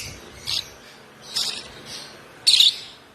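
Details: Four hoarse, high chirps spaced about half a second to a second apart from a one-month-old African lovebird chick fed by hand since two weeks old, the last one loudest.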